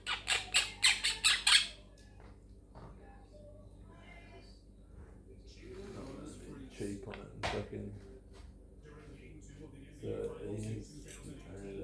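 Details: Pet Quaker parrot, or monk parakeet, known for chatting: a quick burst of about six loud, harsh squawks in under two seconds, followed by quieter murmuring and faint speech-like sounds.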